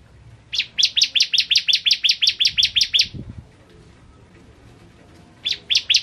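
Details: Bar-winged prinia (ciblek kristal) in tutor-recording song: a rapid train of about fourteen shrill downward-slurred chips, then roughly two seconds of quiet with a faint low thump, before three more notes resume.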